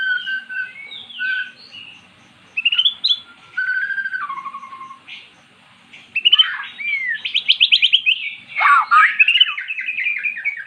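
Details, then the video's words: Caged magpie-robin, previously silent, singing after being lured with recorded magpie-robin song: a varied run of clear whistled phrases, rising and falling slurs, then a rapid buzzy rattling series and bright chattering notes. "Burung Murai jadi GACOR setelah dengar kicauan di YOUTUBE"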